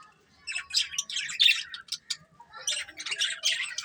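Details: Budgerigars in colourful plumage chirp in quick, buzzy bursts after a brief quiet start, with sharp squeaks, a pause near two seconds, then a second busy flurry of warbled notes.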